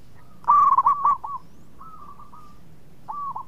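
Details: Sweet-voiced local zebra dove kept as a song inducer. It gives a fast, rippling series of coos, then a softer drawn-out cooing line follows, and a further clipped phrase ends the passage.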